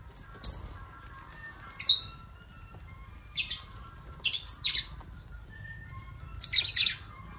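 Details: Lovebirds (Agapornis) feeding from a toy crane loaded with millet give scattered shrill squawks and chirps, irregular and sometimes doubled, ending in a louder burst of calls.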